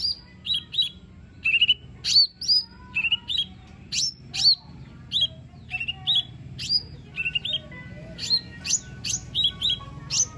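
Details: Lesser green leafbird in varied, continuous song meant to get a lazy bird singing: sharp whistled and buzzy phrases tumbling rapidly, with faint lower tones and steady background hum.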